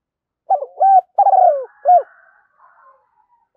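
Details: Decoy recording of a spotted dove for attracting wild doves: one soft, low phrase of a brief stutter, a flat coo, a long rolling croo and a short final coo, then a faint trailing murmur.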